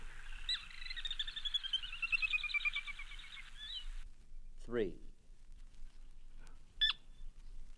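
A Sora gives a quick run of high, bright notes for about three seconds, sliding gradually lower, followed by a brief human voice and a short chirp.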